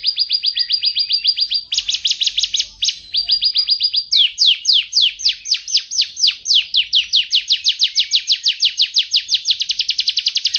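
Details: Canary singing a master training song: loud, clear trilled phrases of rapid descending high notes, changing tempo and pitch between tours, with no other sounds.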